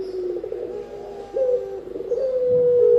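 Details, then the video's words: Spotted dove call for luring and master training: low throbbing coo phrase followed by a smooth sustained hooting note that rises slightly, then holds. "Burung Tekukur-Derkuku Enak didengan Ampuh Buat Pikat dan Masteran"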